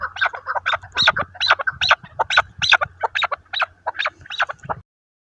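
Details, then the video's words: Chukar partridge kept as a hunting decoy bird, calling in a rapid, steady series of harsh clucking notes, about three per second, that stop abruptly near the end. "shikari chakor ki awaaz"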